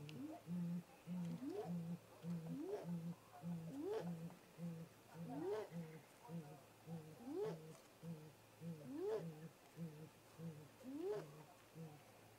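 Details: Male and female great grey owls visiting their nest snag in late-afternoon daylight, 18:58 MDT, 13 April 2018, picked up by a remote camera. Steady series of low, muffled hoots, with a higher rising whoop roughly every two seconds.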